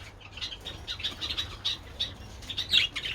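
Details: Pet budgies in the sun eating treats, 27 February; quick high chirps repeated several times a second, ending in a louder squeaky burst.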